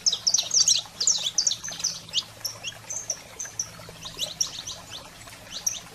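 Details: Saffron finch song played to stimulate pet canaries: rapid high chirps and sharp downslurred notes in quick bursts, fading into softer scattered chips, with a low steady hum beneath.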